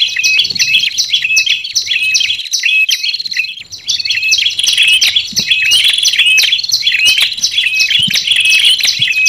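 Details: Olive-backed tailorbird lure call for trapping wild birds, combined with red-headed tailorbird sounds: dense, continuous high chirping and sharp repeated notes overlapping without pause, several birds calling at once.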